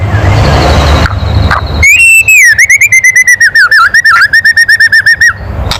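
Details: A white-rumped shama's loud provoking kretekan: after faint background noise, a long rising then wavering whistle breaks into a rapid chattering string of clipped notes for about three seconds.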